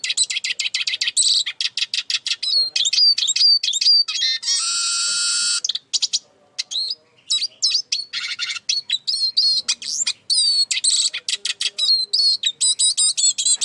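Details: Eurasian siskin singing a fast, varied run of high twittering notes, sharp chips and upslurred whistles, with a long buzzy wheeze near five seconds and rapid trills toward the end.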